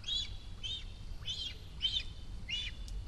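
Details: Cinereous vulture young, a month after first flight, at the nest near Rascafría in Sierra de Guadarrama National Park, begging as a parent nears: six high, rising-falling chirps about half a second apart, with a low background rumble.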